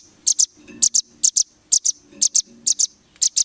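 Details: Velvet-fronted nuthatch (rambatan) tutoring song for competition birds: sharp, high, doubled chip notes repeated roughly every half second over a faint low hum.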